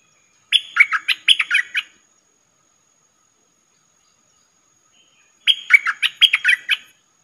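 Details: Streak-eared bulbul lure call for trapping: two identical bursts of fast, jumbled chirping notes, each about one and a half seconds long, separated by several seconds of silence; faint steady hum throughout.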